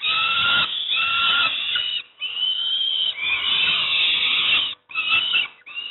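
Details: At Moszna near Pruszków, Poland, juvenile peregrine falcons beg while fed breakfast, producing coarse, continuous screeching wails in long runs broken by a few short pauses.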